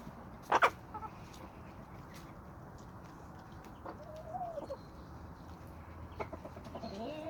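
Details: Homestead flock of chickens and roosters in a small suburban yard with sandy soil: a sharp squawk early, then soft scattered clucks and a few short rising calls over steady low background noise.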